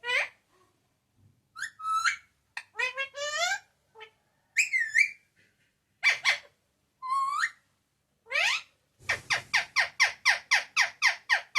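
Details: Talking pet parrot saying papa and mummy loudly; varied squeaky, swooping word-like phrases, then a fast run of about ten short, evenly repeated sharp notes at the end.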